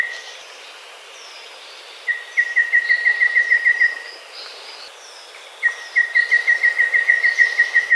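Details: Golden babbler, recorded as a lure for trapping, gives two rapid series of level, piping notes, each burst running about two seconds, against weak background chirping from other birds.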